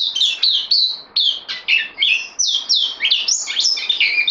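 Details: A newcomer bulbul held in a cage on loan sings a lively, varied stream of slurred whistles and sharp chirps, rising and falling in quick succession.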